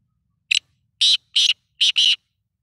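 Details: Black francolin, known as kala teetar, calling: a harsh rasping phrase of five broadband notes, one short opening note, then a pause, two loud grating notes, and a final closely joined couplet, with quiet surroundings.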